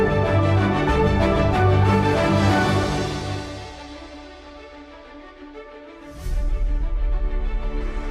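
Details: Orchestral theme music that fades to a quiet passage, then swells again after a brief whoosh.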